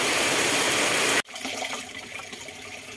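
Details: Loud rushing water fills the first second, then cuts off abruptly into a quieter, faintly textured background with no animal calls.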